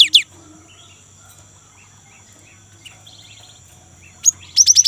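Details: Young great tit in vigorous rolling song, played as a lure to get other great tits singing: a short burst of high sliding notes opens, faint buzzy trills follow, then a rapid run of five falling chirps closes.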